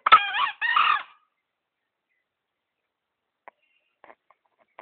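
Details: Hoarse two-syllable crow from a tame, lure-caught green junglefowl kept for three months in Gunungkidul: a quick scratchy first note, then a slightly longer rasp, over in about a second, followed by near silence and a few faint ticks.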